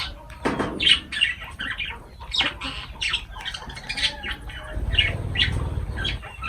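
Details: Lovebirds at their food, harsh squawks and shrill chirps in clusters, a low rumble of handling noise beneath, brief pauses between bursts.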